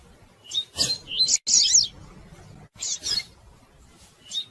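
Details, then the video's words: Calling female rusty-collared seedeater used to stir a reluctant male into singing; sharp high chips and a dense twittering burst near the middle, then scattered single notes, with quiet gaps between. "Fêmea de Coleiro Chamando e Piando Muito"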